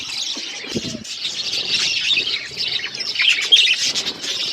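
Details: Budgerigars feeding as a flock, probably in an aviary: dense, steady buzzy chattering from many birds throughout, overlapping chirps with no pauses.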